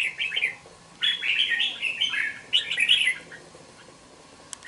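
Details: Caged young red-whiskered bulbul, aged two months, delivers a run of chattering, warbled song phrases in three bursts with short gaps.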